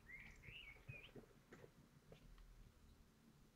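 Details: Common kestrel laying a fragile white egg at a nest in Théding, France, 14 May 2023: a few thin, slightly wavering whines in the first second, then only faint taps and scratchy movement noise.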